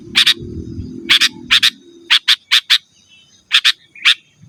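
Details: Sooty-headed bulbul answering rivals, a recording to draw in wild birds and train caged ones: clear chirps in pairs and short runs of three, fairly evenly spaced, with low rumble fading out early.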